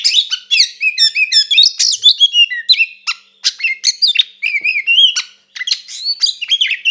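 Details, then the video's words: A kacer (Oriental magpie-robin) gives a fighting song, used to provoke and agitate another kacer. It is a rapid, varied run of high whistles, sharp upslurred notes and chattering bursts, with brief pauses near three and five seconds. "SUARA BURUNG KACER GACOR NGEPLONG TARUNG KONSLET"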